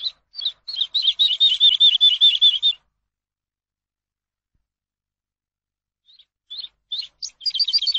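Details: Teaching song of the Eurasian skylark for captive birds: a rapid rolling trill of repeated notes for about two seconds, a long silence, then sparse chirps that thicken into quick twittering at the close.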